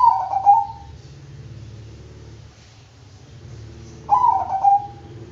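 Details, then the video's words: Bangkok-type zebra dove delivering two warbling cooed phrases about four seconds apart, each a rapid trill sliding into a brief steady note, above a soft low hum. "Bikin Kutut Bangkok Ikut Manggung DENGAN VIDEO INI,Pasti GACOR NYAUT dan NGAYER"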